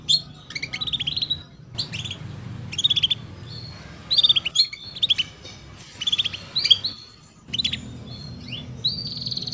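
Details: Female canary chirping to draw song from young canaries; repeated bursts of quick high chirps and short downslurred notes every second or so, separated by brief silences, over low background noise.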